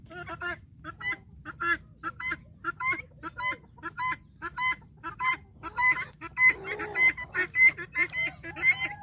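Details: A domestic flock of guineafowl follows a hen around a farm, giving harsh, grating calls nearly twice a second, overlapping as several birds join in, with a brief lower squawk partway through.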